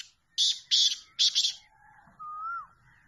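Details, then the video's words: Black francolin from Pakistan, a champion speeder of the chakri wala style, calls three loud, harsh, grating notes in quick succession, then a quiet whistled note rises and drops. "chal so chal teetar Speeder Kala Teetar Chakri Wala Kala Teetar Numberi Teetar"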